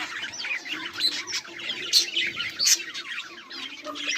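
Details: Group of budgies, 18 July 2023, producing steady rippling chatter: quick high trills and twittered notes run together, with a few brighter squeaks standing out around the middle.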